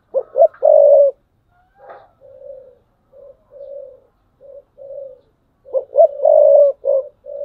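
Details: Decoy spotted dove giving thúc bổi calls, 2022. A strong coo phrase, then a run of quiet, evenly spaced soft coos, and another strong phrase of short and long hoarse coos.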